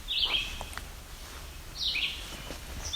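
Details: Yellow-bellied Sapsucker in a rocky summer forest at Barrow Bay on the Niagara Escarpment, giving two nasal, squeaky mews about a second and a half apart, like a squeezed rubber toy, with a third starting at the end over a low rumble.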